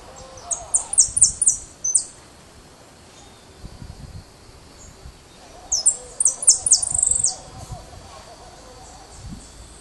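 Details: A young white (leucistic) European goldfinch just starting to sing sings two bursts of high, tinkling, rapid twitters, each about two seconds long, with a faint lower murmur behind; its voice is described as bright and striking.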